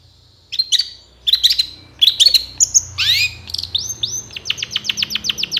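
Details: Long-tailed shrike sound used to provoke reluctant shrikes into singing: short clustered chirps, then a rough downward-sweeping note, ending in a quick series of about ten rising whistled notes.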